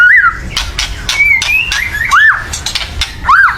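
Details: Agitated white-rumped shama chattering loudly to stir other birds to sing, with harsh dry rattles between clear arched whistled notes that rise and fall.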